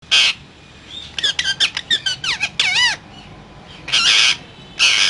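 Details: Parrot said to be talking: harsh broadband squawk, then a quick run of clicks and warbled harmonic notes, a wavering whistled phrase rising and falling, and two more loud harsh squawks, indoors-quiet background.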